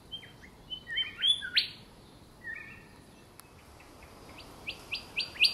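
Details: Golden whistler of the stout-billed Lord Howe subspecies, in the north of Lord Howe Island near the cliffs. It gives bright, clear whistles and quick upslurred notes in two bursts, with a quiet pause between and a soft background hiss.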